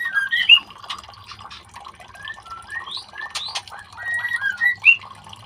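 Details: White-rumped shama chicks being fitted with leg rings: short whistled notes and quick upslurred chirps, some sharp and high, scattered through the clip, with clicks and rustling from handling.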